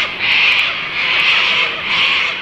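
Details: Sulphur-crested cockatoo (Cacatua galerita), Australia, screeching: three long, harsh, grating, raucous blasts in about two seconds, very loud and rasping.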